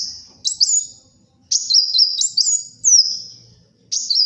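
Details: Kolibri wulung sunbird in full, energetic song, played for luring and tutoring birds: high, thin phrases of rapid twittering notes, then bouncing, sliding whistles in a quick up-and-down pattern, in bursts separated by short pauses; otherwise quiet.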